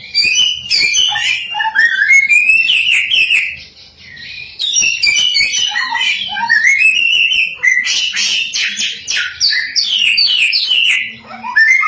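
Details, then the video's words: Samyong bird in nonstop song, used as a lure recording to provoke other samyong into singing; rich run of varied whistled phrases, rising and falling slurs and rapid trills, with a brief pause midway. "Burung 1001 Suara SAMYONG GACOR, Bikin Samyong Lain Emosi & Ikut Gacor"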